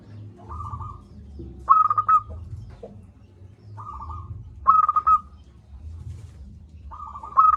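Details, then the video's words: Vocal local zebra dove, big-voiced, repeating staccato cooing phrases: soft rolling trills answered by louder, crisply pulsed bursts, about twenty phrases a minute, with a faint low rumble throughout. "Perkutut lokal gacor suara besar"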